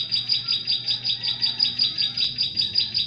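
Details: Short stretch of bar-winged prinia song used as a lure for catching prinias in forest: about eight high, bright chirps in steady rapid succession, background quiet.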